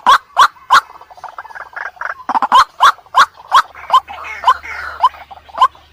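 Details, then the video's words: White-breasted waterhen calling at night as a lure, with sharp, ringing notes repeated about three times a second over a faint low hum. "Suara Pikat Burung Ruak Ruak Paling Ampuh KHUSUS MALAM HARI"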